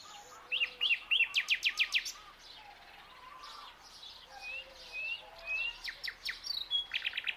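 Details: At dawn a young nightingale sings rapid runs of sharp, repeated high notes, pulsing several times a second, mixed with rising whistles and lower fluted tones, then another burst of quick repeated notes near the end.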